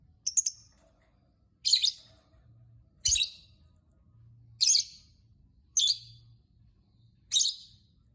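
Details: Lovebird chirping to provoke other lovebirds into singing: a stuttered double note, then five loud, shrill, high-pitched bursts at intervals of about one and a half seconds, over a soft low hum.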